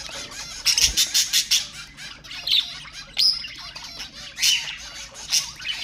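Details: Budgerigars calling to stimulate pet budgies: a fast run of harsh squawks at the start, then mixed twittering, chirps and squeaks.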